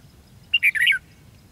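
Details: Red-whiskered bulbul during a decoy trapping session on 13 February 2016: a brief warbled phrase of bright, slurred notes, rising and falling over about half a second, with faint low rumble behind.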